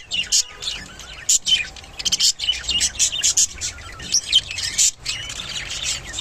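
Budgerigars chatter in rapid, scratchy chirps and warbles while courting and mating.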